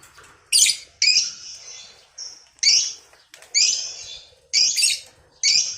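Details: Lovebird giving harsh, buzzy high squawks in bursts about a second apart, from a recording used to lure and train other lovebirds toward the long ngekek trill.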